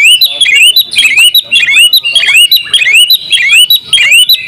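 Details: Champion oriental magpie-robin in open-beaked ngobra singing, full of imitations: a rising whistled slur repeated almost twice per second, each joined by chattering chips and higher squeaky notes.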